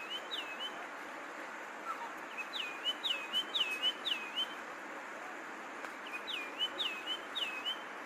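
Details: Longclaw giving bright whistled calls, each note dropping and then flattening, in short bursts of three or four spaced a few seconds apart, against a constant rushing hiss.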